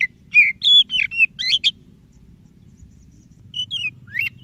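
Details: White-rumped shama singing, meant to stir a reluctant shama into song: rapid varied whistled notes for under two seconds, a gap, then two brief rising whistles, over a faint low hum.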